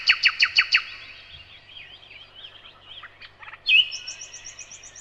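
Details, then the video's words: A nightingale sings five loud, rapid notes in a row, then soft twisting warbles, and ends with a bright whistle followed by a quick trill. "Незабываемое Пение соловья"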